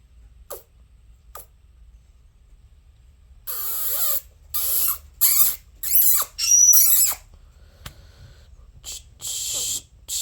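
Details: Two pet conures chattering indoors: a couple of faint ticks, then a rapid run of loud, grating squawks and screeches, a quieter pause, and a few more harsh calls.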